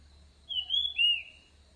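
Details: Orange-headed thrush singing, a recording used to attract birds: two clean whistled phrases in quick succession. The first arcs up and then falls; the second starts lower and glides down. A soft low hum lies beneath.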